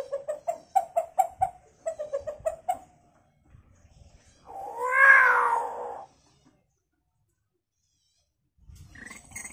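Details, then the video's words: Hill myna mimicking chicken sounds: a quick series of clucks, a pause, then a loud, drawn-out, wavering screech that rises and falls. A short faint call follows at the end. "Burung beo gacor fariasi suara ayam"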